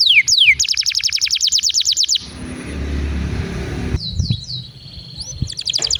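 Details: Canary song meant to encourage other canaries to sing; fast rolled trills and falling whistles are interrupted midway by a loud rumbling noise, then a few bright swept notes and a trill resume.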